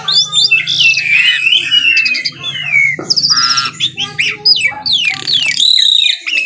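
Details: Vigorous morning singing by an Asian pied starling, a dense jumble of warbled whistles, wavering glides, buzzy rasps and sharp chirps with hardly a pause, against a faint low hum.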